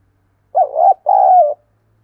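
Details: Low hooting phrase of a spotted dove, used to provoke wild doves and decoys to coo along and fight: a wavering first coo then a sustained, gently falling second coo, in near silence.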